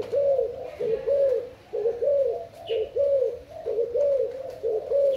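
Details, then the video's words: Spotted dove from Thailand cooing: soft, low, rounded notes repeated about once a second in a steady rhythm. "Cu gáy thailand"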